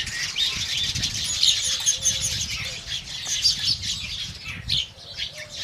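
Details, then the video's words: Indian house sparrows calling in the morning, many quick sharp chirps running together in a lively chatter over a faint low background rumble. "indian house sparrow birds"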